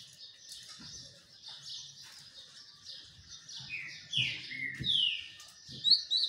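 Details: A green-winged saltator sunbathing gives scattered high chirps, then a few loud, slurred whistled notes falling in pitch, over soft low thumps and a faint steady hum.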